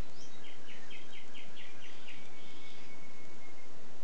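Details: A mockingbird, recorded 24 May, repeats a short, scratchy mid-pitched phrase about eight times in quick succession, then holds a thin whistle, over steady background hiss.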